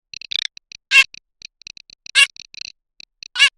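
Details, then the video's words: Garganey producing soft dry clicking rattles punctuated by three loud harsh rasping calls roughly a second apart. "صوت الحذف الصيفي (شترف)|| Garganey Sound"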